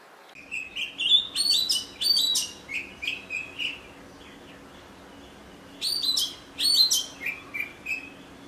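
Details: Oriental magpie-robin giving loud, varied whistled song with fast chip notes and sliding phrases, a first long burst, a pause, then a second burst, over faint background hum.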